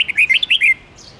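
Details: Red-whiskered bulbul giving part of a long forest song for training young bulbuls. A short, rapid string of six or seven bright, warbled whistles lasts under a second and then stops abruptly.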